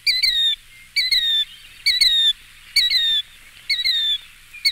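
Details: Killdeer from a collection of eastern birds giving loud, clear calls that slur downward, two-noted and strongly harmonic, repeated about once per second in a steady series of five over a quiet background.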